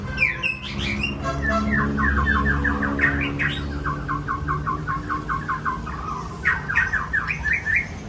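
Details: White-rumped shama, Aceh type, singing a varied run of clear whistles and rapid repeated chip notes in fast series, with sweeping phrases at the start and end over a steady low mechanical hum.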